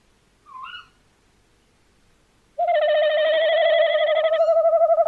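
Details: Brief high rising note, then after a pause a long, trembling, quavering hoot from a tawny owl, recorded 11 January 2026 in quiet surroundings.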